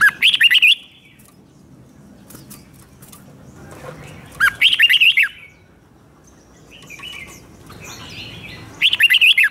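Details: Red-whiskered bulbul provoked into competitive singing: three short bursts of quick, bubbly whistled notes, each under a second, spaced about four seconds apart over a low background hum.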